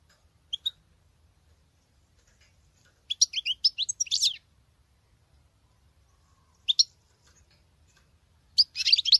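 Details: Singing female European goldfinch sounding like a male: a single high note, a quick twittering phrase, a lone chirp, then another bright burst of tinkling notes against near silence.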